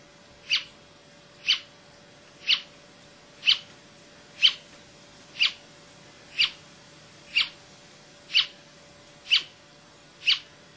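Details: Brasilia tapaculo (Scytalopus novacapitalis), recorded 28 June 2004 at Serra da Canastra, Minas Gerais, Brazil, gives sharp, clipped chip notes, evenly repeated about once a second, eleven in all, over a faint steady hum.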